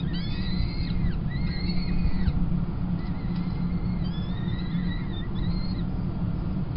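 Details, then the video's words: Young peregrine falcons at a Kingston College nest being fed, 28 April 2021, the female taking over from the male. Drawn-out whistled cries, some flat and some arching, repeat in short series over a continuous low drone. "Kingston College Peregrine Chicks Feed 28-04-21"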